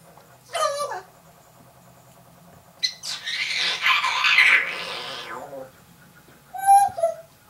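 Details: Indoor African grey parrot imitating sounds such as sneezes, doors and songs; a short warbled whistle, then a long breathy hiss-like rush lasting over two seconds, ending with another whistled phrase.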